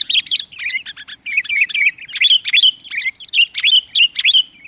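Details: Sooty-headed bulbul lure call, used to attract wild bulbuls: a busy run of bright, bubbly chirps and short warbled notes, several per second, fairly high-pitched and nearly continuous, with no other sounds.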